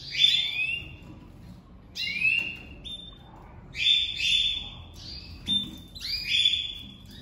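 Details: Domestic canary pair first put together for 2023 breeding, with the female crouching to the male: strong sweeping trills and level whistled notes in spaced bursts, faint room hum beneath.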